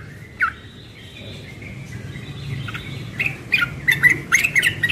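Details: Young yellow-vented bulbul in the morning, ropel-style singing: a lone chirp, a soft pause, then a quickening run of bright, squawky notes tumbling together near the end over faint low hum.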